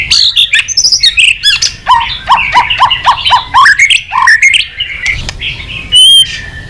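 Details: White-rumped shama in vigorous full song with rich mimicry fill-ins, used to stimulate other shamas to sing: a rapid run of varied phrases, a row of descending slurred whistles, then sharp high notes and a clear whistle.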